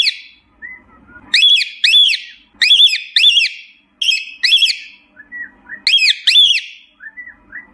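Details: Cockatiel calling for its companions: loud, shrill paired whistled notes, each rising then falling, repeated in bursts of two about every 1.5 seconds, with faint softer chirps between.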